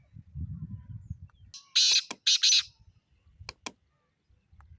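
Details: Black francolin calling loudly with harsh grating bursts, a long one, a short click and a doubled note, amid low rumbling and a few sharp clicks.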